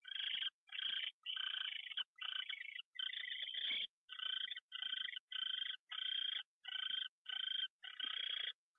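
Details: Early-morning owl fly-in, 6:14 AM, January 27, 2013. About a dozen harsh, noisy hissing bursts follow one another with short regular pauses, each rasp lasting roughly half a second.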